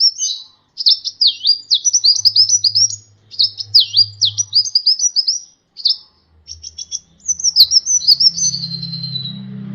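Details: Sunbird (kolibri ninja) singing for a bird-training tutor recording: rapid, high chattering phrases of swooping whistled notes, briefly broken by gaps, over a faint low hum that swells near the end.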